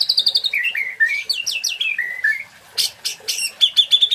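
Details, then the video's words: Loud white-rumped shama song from a national champion bird: rapid descending notes slide into sweeping rising and falling whistles, then sharp clipped chips and a steady high trilled ending. "GILAAA MATERI MURAI BATU JUARA NASIONALL"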